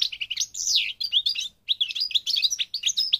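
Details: Close, clear song of a European goldfinch of the North African parva form from Morocco, a rapid liquid stream of high, bouncing, slurred twitters with one brief break midway.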